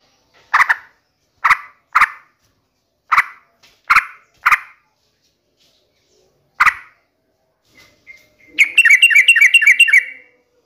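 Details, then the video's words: Lively sooty-headed bulbul used as a lure recording to prompt a kept bird to answer and sing. Seven harsh, broad chack notes spaced irregularly, then a short rapid bubbling warble of about six linked notes near the end. "pancingan trucukan gacor"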